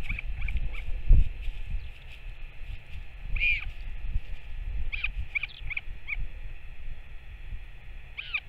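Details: Northern royal albatross, adult back at the nest feeding the chick, 21 May 2024: scattered short arched calls, a stronger one near the middle, then paired notes, with gusty wind underneath.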